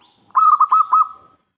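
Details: Single phrase from a local zebra dove used as a lure: about a second of quick, gurgling, rhythmic coos on one pitch, closing with a softly fading note.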